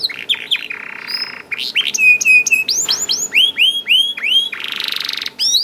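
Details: Young canary (kenari paud) song used to prompt other canaries to sing: fast varied phrases of high downward-curving whistles, buzzy trills and rapid repeated chirps, steady and loud, with faint low background hum.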